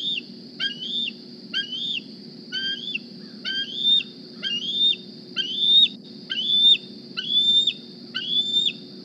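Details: Bald eagle fledgling D36 of the 2020 Decorah season arrives at the nest hungry, uttering a series of shrill squeeing whistles, each climbing and then falling off quickly, spaced roughly a second apart and growing stronger, low hum underneath.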